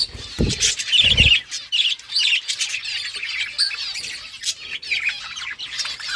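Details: Budgerigars chattering to one another with bright, rapid chirps and short squawky notes, two early thuds, then a steady flow of warbling.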